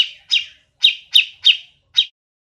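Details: Grey-cheeked bulbul giving six harsh, downward-slurred chirps, each short and scratchy, spaced at irregular intervals of about a third to half a second, against a clean quiet background.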